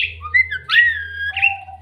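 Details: White-vented myna imitating human speech, following a greeting of assalamualaikum: a short run of clear whistled and slurred notes, rising and falling, over a steady low hum.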